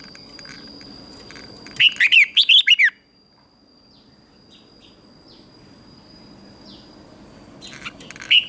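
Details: Red-whiskered bulbul singing competition-style to train other birds: one rapid phrase of five or six bright, slurred whistled notes, then near silence with faint distant chirps before the next phrase begins.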